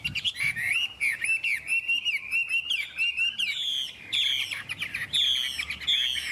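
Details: Kept Chinese hwamei singing. Wavering whistled phrases are set against a steady tone, punctuated by clusters of sharp, rapid, high notes and ending in loud, clear slurs.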